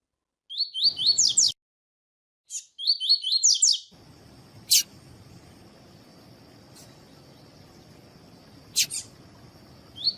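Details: Double-collared seedeater singing the tuí-tuí song style, played to warm up and stimulate other birds to sing. Two quick phrases of high, sharp, upslurred notes in short bursts, followed by a steady high hiss and a few sharp clicks.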